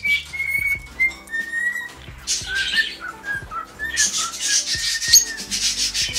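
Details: Pet cockatiel singing indoors: a series of clear whistled notes, flat or gently rising, repeated about every half second, then harsh raspy chatter, over a steady low electrical hum.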